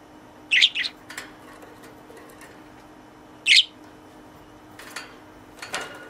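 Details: Pet budgerigar in its cage, playing with a toy companion and chattering to it: a few short, high, scratchy chirps spread over six seconds, with quiet gaps between them in a small indoor room.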